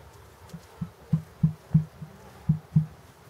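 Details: A female emu at Walter Zoo, Switzerland, 30 Dec 2013, calling often, possibly breeding season, gives deep, hollow "pon pon pon" drumming thumps, about three a second, each a short booming pulse over faint hiss.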